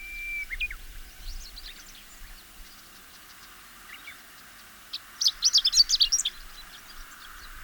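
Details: A Chestnut-eared Bunting sings in spring to early summer, one quick, scratchy phrase of high twittering notes lasting about a second, with fainter chirps from other birds before it.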